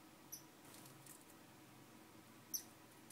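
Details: Two high, thin chip notes from a star finch roughly two seconds apart, the second louder and sharper, against faint steady background hum.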